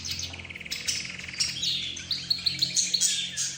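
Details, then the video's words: Mixed birds heard together, said to include budgerigars, the 'roz' bird, zebra finches and a canary as lead singer; fast trilled chatter then sharp repeated high chips, dense overlapping voices, like a conversation. "حديث الطيور"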